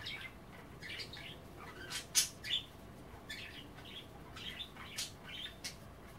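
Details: Budgerigars at bath time nibbling kale, kept as pets, give irregular scratchy warbled chirps and short squeaks, with a few sharp clicking taps among the chatter.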